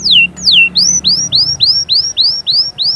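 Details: Canary song played to encourage chicks to sing and prepare females for breeding: loud whistled notes sweeping downward, then a repeated series of rising upslurred whistles about four per second, with a faint low hum beneath.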